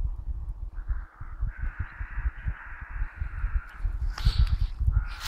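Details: A crow perched in a tree gives a harsh, drawn-out cawing call, followed near the end by a short, rougher burst, over steady low rumbling that sounds like wind or handling noise.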